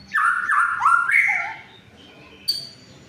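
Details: White-rumped shama song used as a lure to prompt silent shamas to sing: loud whistled phrases stepping between notes, mostly mid-pitched with sliding slurs, ending in a brief high note after a pause.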